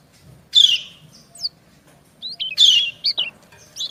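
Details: White-eye female and male answering each other: two loud, harsh, descending high chirps about two seconds apart, each followed by thin, twittering notes.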